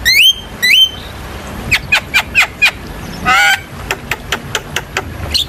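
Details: Javan myna singing as a masteran lure for young birds: two clear rising whistles, a string of short harsh chips, a buzzy wheezing note, then more rapid dry clicks.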